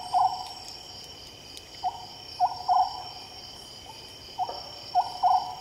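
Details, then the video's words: Night song of an Oriental scops owl: hollow mid-pitched hoots grouped as a lone note then two fast ones, repeated several times against a continuous buzz of insects. "Oriental Scops Owl"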